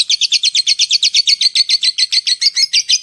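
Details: Lovebird (labet) giving a long ngetik, ngekek call used to lure other lovebirds: a fast chattering series of harsh, buzzy notes repeated about six times per second, steady and high-pitched.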